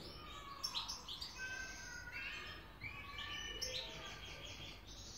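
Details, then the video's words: Excited European goldfinch recorded in Hamburg, Germany, mixing rapid tinkling twitters with sliding whistled notes and one steady lower tone, the chattering phrases running almost continuously. "هيجان و تكريم طائر الحسون. Goldfinch. Stieglitz"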